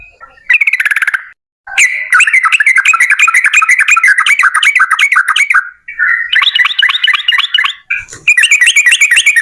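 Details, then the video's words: Yellow-vented bulbul song in its long, rapid, energetic style, meant to lure other birds into singing: extended runs of loud bubbly chatter, about three notes a second, broken by short silent cuts. "TRUCUKAN GACOR Ropel Panjang Buat PANCINGAN TRUCUKAN Agar Bunyi"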